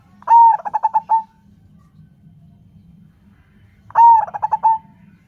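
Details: Local zebra dove calling to draw other doves into singing. Two phrases about three and a half seconds apart, each a sustained mellow note breaking into a rapid series of short pulsed coos. Soft background hum.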